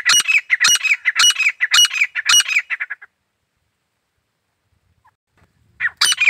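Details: Grey francolin calling loudly: five strong, harsh, ringing phrases about half a second apart, trailing into softer notes. After a silent stretch, the harsh call starts again.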